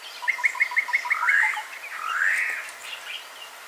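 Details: Three-banded courser (Rhinoptilus cinctus) moving very slowly near Lake Baringo, Kenya: a fast run of about eight clipped, piping notes, then two longer slurred whistles that rise and fall.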